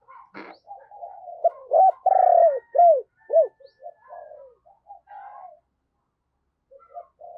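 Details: Caged decoy spotted dove giving 'thúc' and cooing calls used to lure wild doves; a run of soft, low coos builds into several loud, arching, rolling coos near the middle, then trails off into quieter notes after a pause.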